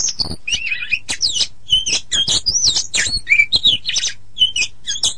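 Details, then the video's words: Oriental magpie-robin song used as a training recording for teaching birds to sing, a practice recommended in the morning or afternoon: rapid, varied high whistles and buzzy sweeping notes in dense bursts, with a faint low hum beneath. "Masteran Terbaik Kacer"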